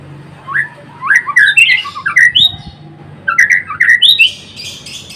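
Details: White-rumped shama, Murai Blorok variety, giving harsh squawking notes and short whistled slurs in two loud bursts, with a faint low hum in the background.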